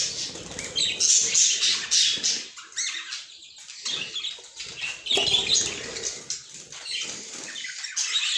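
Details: Pet budgerigars giving a dense, scratchy chatter of high squeaks and warbles, nearly continuous with loud bursts and short lulls.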